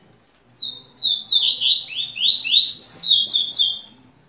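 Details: Double-collared seedeater pair indoors in Rio de Janeiro, Brazil, singing the tui-tui song style: a fast, dense run of high, slurred, descending whistled notes that tumble and overlap for about three seconds before stopping.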